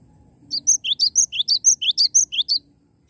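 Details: Actively singing Cinereous tit, not a recording playback: about a dozen crisp high notes over two seconds, rising chirps interleaved with shrill flat whistles in a steady, bouncing rhythm, then quiet.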